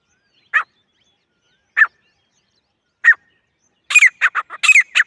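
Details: Grey francolin, described as female, calling in jungle: three widely spaced single harsh notes, then a sudden quick volley of rasping repeated notes.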